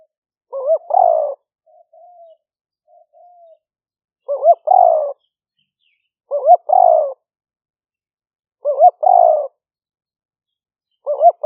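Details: Spotted dove cooing continuously, recorded live for trapping lure use in rice fields near Nong Khu Phai, Roi Et province, Thailand, during the rainy season with a smartphone; wavering double note plus long coo repeated about every two seconds, with faint softer coos between.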